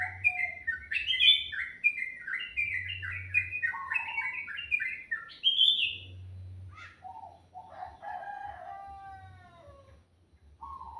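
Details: Morning birdsong: a quick series of bright chirping notes slipping downward, a short pause, then softer whistled downslurs, with a faint low hum returning at intervals.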